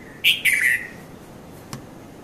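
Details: Red-vented bulbul, the Konda Kurulla of Sri Lanka, heard at dawn, 5:30 to 5:40 a.m., in Mount Lavinia on a Nikon Coolpix P510: two bright chirping notes, the second drawn out and dropping, then a brief click.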